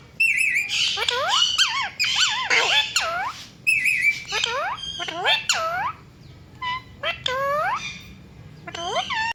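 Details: Pet ringneck parrot, a rose-ringed parakeet, chirping in dense bursts of sharp, swooping whistled notes and harsher squawks, busy at first, then sparser single rising chirps toward the end.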